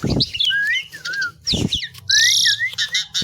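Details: Asian pied myna song: smooth undulating whistles repeated in short phrases, broken by thumps and a loud harsh rasping burst, over a faint low hum.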